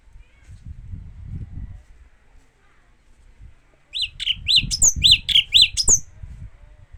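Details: Japanese white-eye giving a quick run of short, sharp chirped notes, about four each second, over two seconds, after a stretch of low rumbling background noise.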